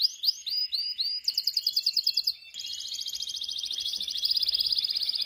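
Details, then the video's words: Canary from Pakistan singing a varied series of rapid tours: a few looping whistled notes, then a fast trill of repeated syllables, followed by a long, even, rattling roll. "Pakistan canary"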